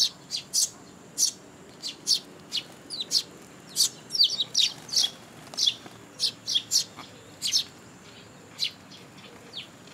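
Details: Fledgling sparrows and chicks crowd parents for food at a Tenmangu shrine, 2 July 2022; dense, overlapping bright chirps, several per second, from more than one young bird, busy and insistent.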